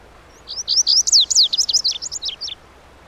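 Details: Lazuli bunting singing a two-second phrase of hurried high slurred whistles, the early notes longer and brighter, the later ones shorter and descending, in a quiet setting.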